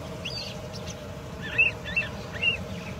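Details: Wild long-tailed shrike in active song: a few brief chirps and a sharp whistled note, then two more quick squeaky notes about half a second apart, against a low rumbling background.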